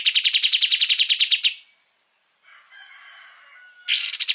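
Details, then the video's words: Kapas tembak in full song, offered as electronic master material for training cage songbirds; a loud, fast series of about fourteen sharp, high, ringing notes, then soft twittering and the start of another burst. "Kapas tembak gacor"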